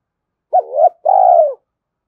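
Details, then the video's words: Spotted dove calling to provoke a rival; a single phrase of a short rising double coo then a long buzzy vibrating note that slowly falls. "Chim cu gay kich boi gay goi hai hau/ cu gay kich boi nhanh noi gù"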